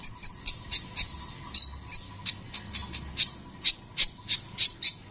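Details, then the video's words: Brown-throated sunbird, locally called kolibri ninja, in full energetic rolling song. Thin, piercing high chips repeated roughly every third of a second, with a few brief twisted notes midway. Faint steady low hum beneath. "Masteran burung kicau Kolibri ninja gacor ngeroll"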